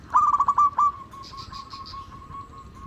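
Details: A local zebra dove, recorded as a lure for others of its kind, gives a short burst of rapid, rolling coo pulses. These fade into a soft, sustained hum, with a few faint high chirps behind.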